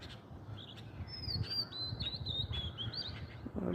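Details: Oriental magpie-robin in a tree near mango blossoms behind a coconut palm, giving a run of clear, high whistled notes that slide up and down over about two and a half seconds, with steady low rumbling noise beneath.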